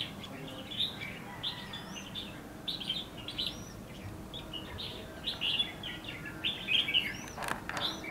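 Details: Decoy red-whiskered bulbul singing for bird trapping in scrub at Lương Sơn, Hòa Bình, Vietnam. Lively chattering phrases repeat steadily over faint upslurred whistles of other birds. A sharp click is heard near the end.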